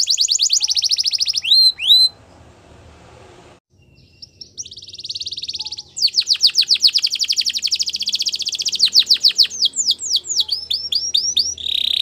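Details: Training song from a Belgian canary: rapid high trills, a two-second pause, then a long buzzy roll that breaks into fast repeated rising notes and ends on a steady tone.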